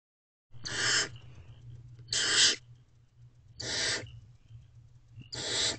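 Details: Barn owls in a nest box, a female feeding herself and her owlets just after midnight on 23 April 2023: four harsh, breathy hissing screeches, each about half a second, spaced roughly 1.5 seconds apart over a low steady hum.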